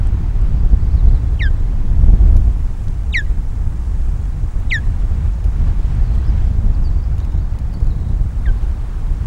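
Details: Alarmed osprey defending its nest at Loch of the Lowes in May 2022 as intruders approach: four clear, falling whistled notes spaced one to two seconds apart, buffeted by loud wind noise.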